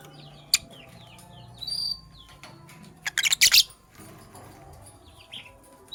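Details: Lovebirds, Sky Blue Opaline and Cobalt, chirping in the morning: a run of quick descending tweets early on, a short whistled note, then a cluster of loud harsh chips near the middle, over a low background hum.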